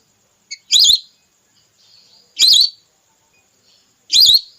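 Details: Whistling duck lure sound, a female call for hunting red whistling ducks: three shrill, wavy whistles repeated at a steady pace, with a brief high pip before the first and faint murmurs between.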